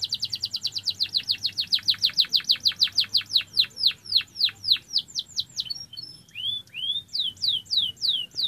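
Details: Canary singing: fast trills of downward-sweeping high notes, about three to four per second for five seconds, then a brief pause and a slower series of rising-falling whistled phrases; quiet low hum underneath.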